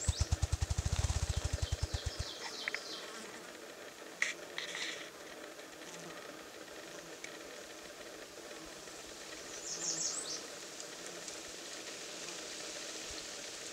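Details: A Ruffed Grouse drumming on a log in northern Minnesota gives deep, muffled thumps that speed up into a rapid whir over two seconds, then faint high chirps of small birds and a soft insect hum.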